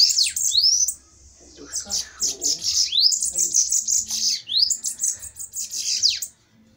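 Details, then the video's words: Bananaquits in a fiery song duel. High buzzy sizzling phrases come with rising whistle sweeps after a short gap, and a faint human voice murmurs underneath for a moment. "DUELO DE SIBITES FOGOSOS!"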